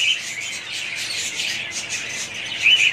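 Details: Budgie parrots produce an unbroken, high-pitched warbling chatter with a louder squeaky chirp near the end.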